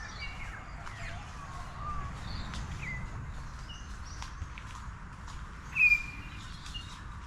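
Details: In the morning at Samford Eco-corridor near Brisbane, Australia, a Grey Shrike-thrush gives a single clear, mellow whistled "choo" note over a busy background of soft chirps and twitters from other birds.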